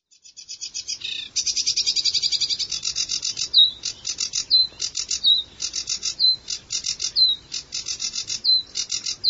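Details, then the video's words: A sedge warbler sings a fast, high chattering song of rapid trills and harsh churrs, broken by short sweet whistled notes roughly every second. "هازجة البردي المخططةsedge warbler"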